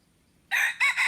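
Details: Red junglefowl used as a decoy, recorded 10 March 2022, giving the start of a crow: a sudden loud raspy note, a brief break, then a second strident note, with silence before it.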